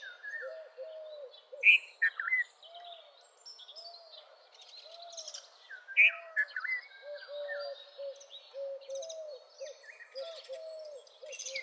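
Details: Red-vented bulbul repeating a short, bubbly phrase twice, about four seconds apart. A chorus of high chirps and low, rhythmic arched whistles from other birds fills the background.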